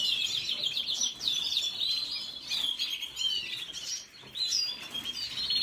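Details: A red siskin delivers a rapid, continuous twitter of sweet, slurred whistles and chattering notes, loud and unbroken with brief dips between phrases.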